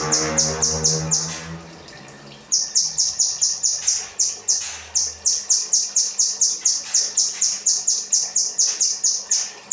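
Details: Kinoi 'rambatan' training song for cage birds: a short burst of rapid high chirps, a brief pause with low murmuring, then a long steady train of sharp, high, falling notes at about four per second.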